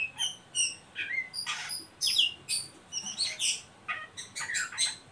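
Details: Oriental magpie-robin ngeriwik calls for luring young birds into song: a fast series of scratchy high chatters and short whistled notes in uneven bursts.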